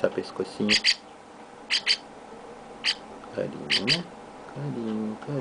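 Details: Baby chestnut-cheeked starling, being hand-fed alongside a sibling, giving sharp, harsh chirps, mostly in quick pairs about once a second, while a person talks softly nearby.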